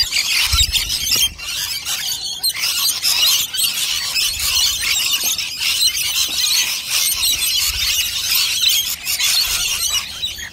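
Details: Feeding rainbow lorikeets in great numbers at nectar dishes produce a dense, harsh, high-pitched squealing chorus lasting throughout, with occasional low thumps underneath.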